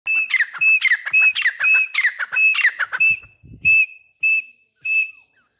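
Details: Hand-tame grey francolin, known locally as Irani or Dhakni teetar, gives a rapid series of sharp, high whistled notes, some with quick rising and falling sweeps, about two per second, then a few spaced steady whistles near the end.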